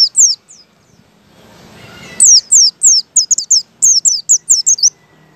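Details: White-eye ngalas song used as a lure to prompt other white-eyes to sing. A few high notes, a brief hiss, then a lively run of rapid, thin, descending whistles repeated about three times a second.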